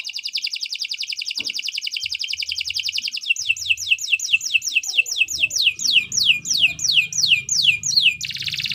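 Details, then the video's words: Canary in long, continuous 'gacor' song, used as a tutor recording for training birds. A rapid buzzy trill shifts into a slower run of ringing, downward-swept notes, ending in a harsh burst. "Kicau Burung Kenari 164 II LUAR BIASA GACOR PANJANG"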